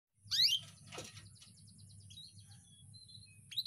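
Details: Canary song used as a tutor recording for young birds: a loud bright chirp, then a series of quick high ticking notes and thin whistles, with another sharp chirp burst at the end.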